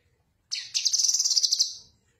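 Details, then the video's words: Blue-winged leafbird (Cucak Kinoi), recorded as a tutor song, giving a fast, high, scratchy chattering burst of about a dozen quick notes over a second and a half, with nothing else heard. "Suara Khas Burung Cucak Kinoi"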